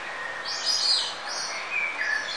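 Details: Birdsong outdoors in nature: quick high chirps and short sliding whistles, a few bright notes repeated in close succession above a constant rushing background noise.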